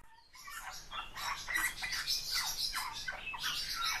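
A Eurasian bullfinch sings a busy run of creaky, squeaky notes and soft piping whistles.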